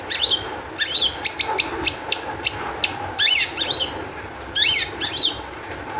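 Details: Excited Long-tailed shrike song used as a lure so other shrikes will sing: harsh, scratchy, chevron-shaped bursts with sharp chips and short stuttering phrases.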